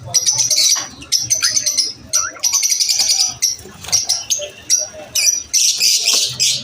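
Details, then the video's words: Lovebirds chirping at lunch time, a busy flock chatter of shrill, high, rapid chirps and trills in dense bursts with short pauses between, and a faint low hum underneath. "Lovebirds chirping sound"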